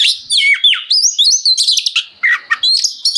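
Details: Oriental magpie-robin (kacer) in loud, nonstop ngeplong-style song, used to train home birds and make other magpie-robins answer: rapid varied whistles, sweeping slurs and buzzy high notes in quick bursts with short gaps.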